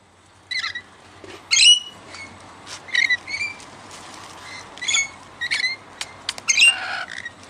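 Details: Wild rainbow lorikeets, regular visitors fed raw sugar, give shrill, harsh screeches in short bursts about every half second, some higher and buzzier, over a faint background hiss.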